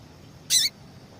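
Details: Single brief high call of a female yellow-bellied seedeater, given to encourage a male to sing; a sharp, slightly wavering chip with a lower falling trace.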